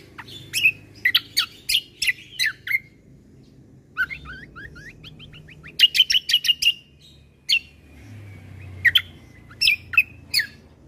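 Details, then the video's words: Bulbul combo song played to stir other birds into noisy calling: runs of bright, clipped, high chirps, then a rapid descending series of short whistled notes and a fast repeated trill, over a low hum. "Suara Keciasl Kombo Isian Mewah Sekali Putar Bikin Emosi Burung Yang Dengar Auto Ribut"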